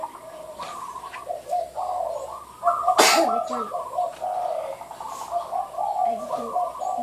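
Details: Merbuk, the zebra dove, delivering a derak-style song: quick chattering coo trills in repeated bursts, two-tone stepped notes, and one sharp click partway through.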